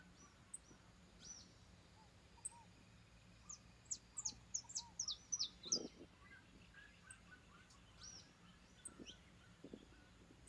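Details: Saffron finch in a rural backyard giving short bursts of high, sharp, downslurred chips clustered in the middle of the passage, with sparse single notes before and after and a faint low background hum.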